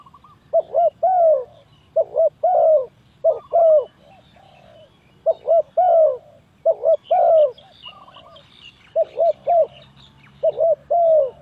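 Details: Spotted dove calling as a lure for trapping, a steady run of about ten phrases, each quick double coo followed by a longer falling coo, with faint chirps of other birds.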